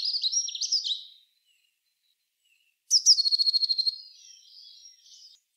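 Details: Eurasian blue tit in song: a jumbled high trill, a pause, then a thin piercing note falling into a fast ringing trill with quiet notes trailing after.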